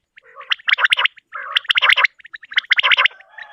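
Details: Common quail, morning call: three quick bursts of liquid, clipped notes about a second apart, each opening with a low, nasal growl; faint background hum.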